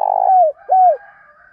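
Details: Fragment of a spotted dove's provoking call: the tail of a rolling purr dropping in pitch, then one smooth arched coo, followed by soft trailing tones.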